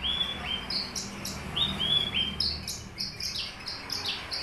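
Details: Papuan Horsfield's bush lark, subspecies aliena, in a cage: a few clear slurred whistles dropping in pitch, then quick repeated high chips and buzzy notes.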